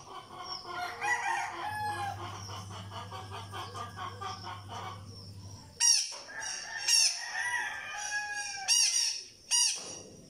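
Sharp, shrill high-pitched chips from a blue-crowned hanging parrot, about four spaced calls in the second half, following a stretch of busy clucking and steady hum.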